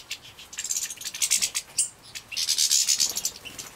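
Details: Young captive-bred European goldfinches in Poland, 2017, give high, thin, sibilant chirps in rapid overlapping bursts as they beg at feeding time, with soft rustling in the background.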